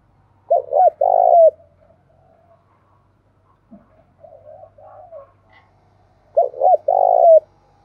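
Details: Spotted dove giving its calling and urging coos in the hills and forest of Đồng Nai, Vietnam: two loud mid-pitched phrases of short rising notes and a long, slightly falling coo, about six seconds apart, with softer cooing between.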